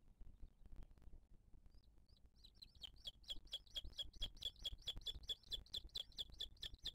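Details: Booted eagle nest, 2023, filmed live as the female feeds a chick. After quiet, a few soft rising whistles lead into an intense, steady run of loud, piercing repeated notes, about two to three per second.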